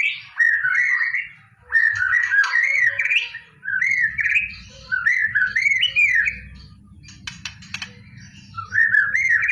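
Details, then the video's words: White-rumped shama singing in preparation for a singing contest: rich, varied whistled phrases with warbling, rising and falling notes in bursts around mid-high pitch, interspersed with brief harsh chatter, over a low background rumble. "KICAU MURAI BATU UNTUK PERSIAPAN LOMBA"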